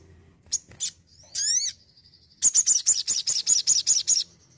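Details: Energetic crimson sunbird (sogon), Indonesia: scattered high thin chips and a descending stack of quick slurred whistles, then a fast run of about ten sharp, evenly spaced high notes.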